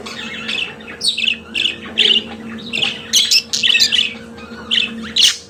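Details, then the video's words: Pet budgerigar singing indoors, a rapid chatter of squeaky, buzzy high notes and clicks in uneven bursts, with a low steady hum in the background. "Periquito Australiano de Estimação Cantando Som de Pássaros de Periquitos Naturais"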